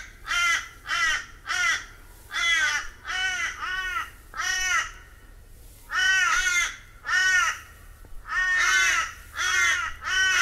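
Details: Crow from Australia, loud harsh nasal caws in a steady series of about thirteen, each drawn-out and falling slightly, with short pauses and a brief gap near the middle.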